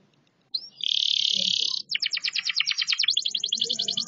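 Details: Canary singing while moving: after a short silence a long steady high trill starts, then breaks into quick repeated pulsed notes that run on rhythmically to the end.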